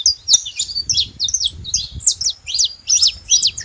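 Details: Wild, free-living saffron finch giving a lively song of quick high chirps and downward-slurred notes, closely spaced in a continuous run over a soft low background hum.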